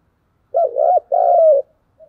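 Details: Spotted dove delivering an urging 'thúc gù' challenge coo. One phrase: a wavering two-part low note, then a sustained coo that slides gently downward. A brief faint note follows, with otherwise silent surroundings.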